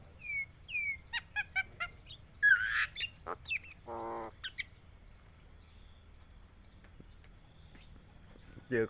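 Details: A pet talking Javan myna gives a run of clear whistles, clicks and a harsh nasal burst mixed with speech-like Thai greeting phrases, then falls quiet; owner says it is calling for a mate.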